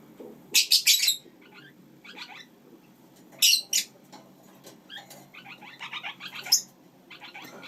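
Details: Pet lineolated parakeets kept with their chicks. Loose chatter of short, bright chirps and a few sharper squawks, some in quick doubled bursts, others in a soft rapid twittering run near the end.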